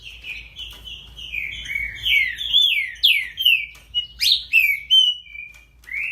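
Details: Great-billed seed finch song: a long flowing string of slurred whistles that drift and dip, then sharper upward and downward sweeps spaced about half a second apart, ending on a rising note.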